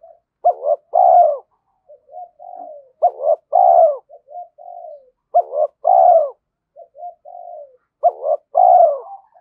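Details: Decoy spotted dove cooing to goad wild males into fighting: four evenly spaced phrases, each a short hiccuping double note and a full, loud falling coo, linked by faint soft coos, with no other sounds.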